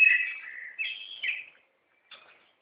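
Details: Small bird in Gütersloh, Germany, that sings all day, every day, for the whole neighbourhood: a clear, slightly wavering whistled phrase rising toward its end, then a short pause and one faint softer chirp.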